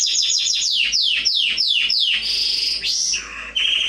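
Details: Canary song for young birds in training, made of rapid, then slower, high sweeping notes falling in pitch, followed by rolling trills and a clear whistled ending.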